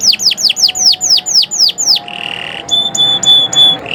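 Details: Morning canary song meant for tutoring other birds: nine loud down-slurred whistles about four per second, then a short buzzy rasp and a few clear high piping notes.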